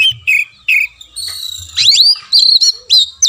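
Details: Lure song of the Oriental magpie-robin for a caged bird that has gone quiet: several short mid-pitched whistles, then a dense run of rising and falling whistled phrases with sharp accents.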